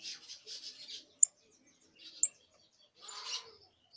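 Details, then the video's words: Scratchy, hissing early song from a young canary: raspy buzzing notes in a quick run, two sharp high pips, then a harsher grating burst at the end. "Pichón de CANARIO soltando sus primeros cantos, trines, Charrasqueando"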